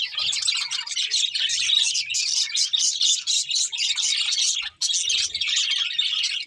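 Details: Budgies singing while eating, a flock's continuous squeaky warbling and fast twittering notes, nearly unbroken, with one brief gap and faint low bumps.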